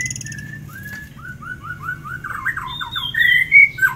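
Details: Ngitir song of a tame forktail used for master training: a descending ladder of quick whistled notes repeated several times a second, ending in loud bright upslurred whistles, with low hum underneath.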